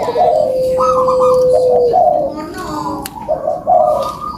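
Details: Barbary dove sounds to motivate lazy doves: a long flat tone followed by short coo bursts, amid steady broadband background noise.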